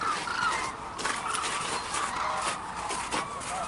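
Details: A large gathering of Hooded and White-naped cranes calls at Arasaki Crane Center in snowy Kyushu, Japan. Ringing, trumpet-like notes overlap continuously, with brief rustling bursts between them.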